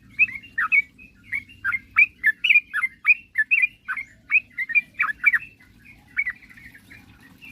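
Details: Sooty-headed bulbul singing to challenge rivals: a lively sequence of sharp whistled chirps, some swooping down, delivered in quick succession and then thinning out, over a quiet low hum.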